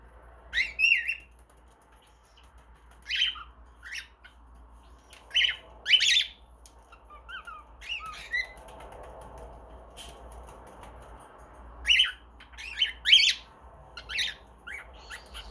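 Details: A baby cockatiel chatters in short, scratchy bursts mixed with sharp smacking kiss sounds while swinging.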